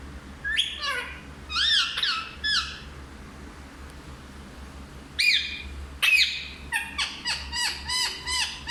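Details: Parrot that talks in Hindi strings together arched, voice-like syllables, pauses, then gives two sharp squawks and ends with a quick run of repeated chirpy notes.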